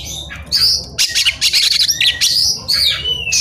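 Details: Agitated Oriental magpie-robin seeking an opponent; loud stuttering harsh bursts interleaved with high sustained whistles, delivered in quick succession.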